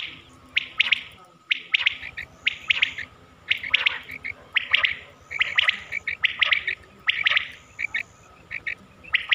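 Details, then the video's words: Quail lure recording from Mianwali, Pakistan, played for quail hunting: clear, high, sharp three-note calls repeated in bursts, with softer buzzy notes between them, over a quiet background. "batair ki awaz"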